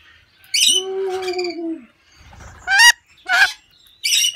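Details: Lorikeets in an aviary give harsh, buzzy screeches in short bursts, one drawn-out squawk followed by three sharp shrieks about half a second apart.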